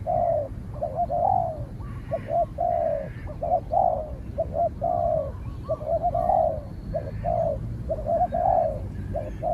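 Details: Spotted doves in a calling duel, a trained decoy against a wary wild bird; continuous mellow cooing, clipped notes alternating with longer falling ones, nearly one a second, faint higher sounds behind.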